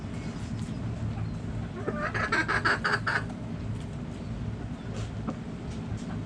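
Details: Backyard chickens: a loud burst of rapid, harsh, repeated clucks about a second long, followed by quieter scattered notes over constant low background noise.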